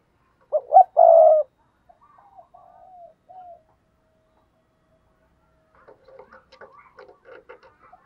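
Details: Spotted dove kept as a lure bird, cooing to stir rivals: one low phrase of two quick notes and a drawn-out vibrating coo, followed by faint softer notes and scattered chirps.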